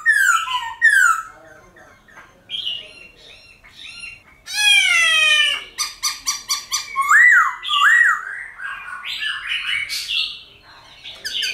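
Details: Silver-eared laughingthrush in wild-style song for training young captive birds: mixed chattering and buzzy notes, a harsh harmonic rasp, rapid stuttered clicks, then looping whistles and varied warbled phrases.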